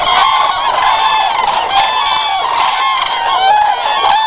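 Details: Common cranes in full chorus, a continuous wall of loud, ringing, harmonic calls overlapping without break, with occasional sharper bugles rising above the mass.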